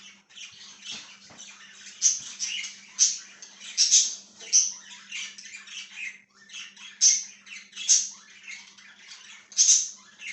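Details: A budgie chirps on 1/6/2023, with loud, bright, squeaky chirps popping out about every second amid a rasping, chattering warble and a low background hum.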